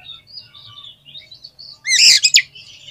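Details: Oriental magpie-robin singing actively, used as a lure to test other magpie-robins' spirit: soft background twittering, then a sudden loud burst of sharp, rising whistled notes near the end, followed by quieter chatter.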